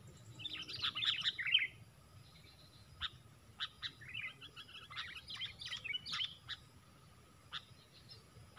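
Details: Sooty-headed bulbul in a fighting contest, four against one: bright chirping notes and short burst phrases, some clustered and some spaced about a second apart, with a steady faint hum beneath.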